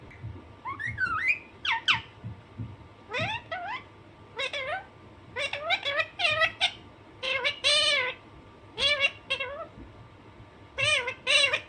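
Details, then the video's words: Naughty pet Alexandrine parakeet calling naturally: scattered bursts of harsh, nasal screeches, some doubled, others arching rising-falling, coming in clusters with short pauses and a faint hum underneath. "Alexanderine naughty parrot/parrot natural sound"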